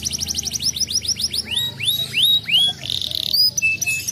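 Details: Canary song intended to get other canaries to respond: a quick stuttering trill of high notes, slower rising-falling whistled sweeps, a brief buzzy burst, then scattered high tones.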